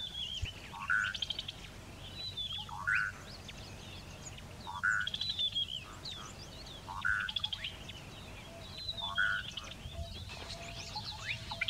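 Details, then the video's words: Red-naped Bushshrike, a hard-to-see scrub specialist, singing: a short, mellow whistled note about every two seconds, with thin high chirps from other birds behind. "Red-naped Bushshrike singing"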